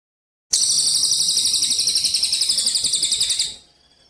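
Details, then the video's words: Javan munia song recorded for songbird contest training: a sudden, sustained high buzzy trill of about three seconds, pulsing about four times per second, then fading out. "masteran komplit untuk burung lomba gereja_cililin _kapsa tembak suara asli dan jernih# berjeda"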